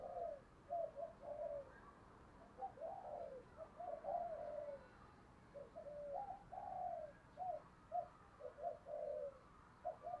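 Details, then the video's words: Spotted dove lure bird in the earthy 'thổ' voice, cooing urgently to provoke wild doves: many short, low coos in uneven bursts over a constant hiss of background noise. "cu gáy giọng thổ thúc gù đẹp mã hót hay mở lên kích bổi hiệu quả"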